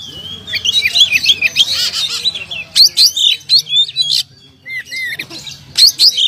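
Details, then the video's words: Champion contest oriental magpie-robin with past prizes sings a fast jumble of high whistles and chirps, then sharp rhythmic squeaky notes, a short lull with soft downslurred whistles, and another bright burst. "Kacer Jawara Pernah Prestasi"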